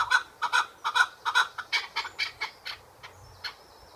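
A chukar gives a series of about a dozen husky, clucking chuck notes, fast at first and then slowing and fading.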